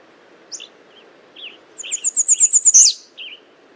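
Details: American redstart with a few soft scattered chips, then a song of about eight high, sibilant notes growing louder and ending in a sharp downslurred flourish, then one soft low note.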